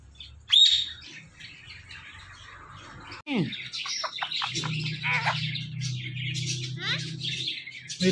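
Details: Talking parrot giving a sharp high squeak, then a run of buzzy chirps and short harmonic squawks over a low steady hum.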